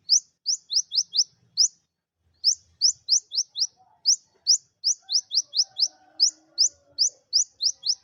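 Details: High, thin upslurred chips from a captive Olive-backed sunbird, delivered in fast runs of four to six with short pauses between, used to coax silent birds into song; quiet background.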